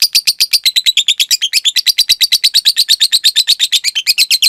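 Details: Caged lovebird with the long trill used as training material for other lovebirds: a dense, continuous series of quick, piercing high chirps repeated at an even, rapid pace.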